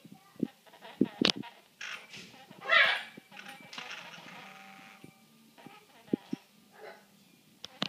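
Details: A female great-billed parrot talks in short, wordlike bursts with harsh squawks and sharp clicks; a loud raspy screech rises midway, and faint voices sound in the background.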